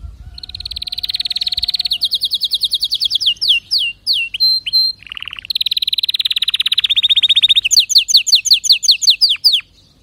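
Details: Canary in full song: a long rapid trill, sliding whistled notes, a low buzzy burst, then dense fast rolls and a series of repeated downward sweeps toward the end.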